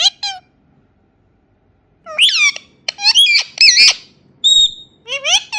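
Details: Indian ringneck parakeet babbling in rapid, wavering squawks and syllables, with one steady pure whistle near the end, the bursts coming in dense runs after a quiet stretch.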